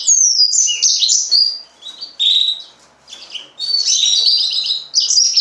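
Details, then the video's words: Green singer, or yellow-fronted canary, in full song: sweeping high whistles and jumbled twittering phrases in energetic bursts, pausing briefly midway before resuming. "mozambik kanaryası, green singer, serinus mozambicus"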